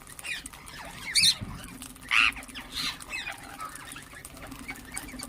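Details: Ring-necked parakeets calling and chirping: two loud, harsh, high screeches about a second apart stand out over busy background chatter and a steady low hum.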